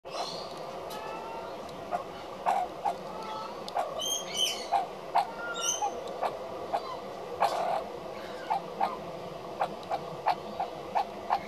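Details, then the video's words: An adult magpie filmed 080516 makes weird noises when other adult magpies are around: short clipped notes roughly every half second, broken by a couple of higher, strained squeaky calls midway. "Magpie Making Strange Sounds"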